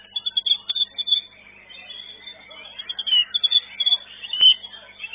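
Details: White-rumped shama singing in a bird singing contest arena, the entry placing fourth; bursts of sharp, high whistled notes and rapid chattering trills, loudest at the opening and again toward the end, with a muffled, band-limited tone.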